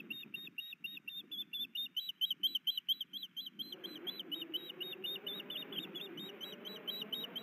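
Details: Osprey at a nest in Hellgate Canyon, Missoula, Montana, with the male bringing fish and the female brooding; rapid series of high, clipped chirps, about two per second, over low rumbling background noise that swells midway.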